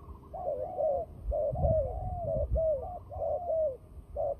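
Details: Overlapping low coos from fighting turtle doves used in trapping, notes arching and falling in quick succession, with some low rumbling noise underneath.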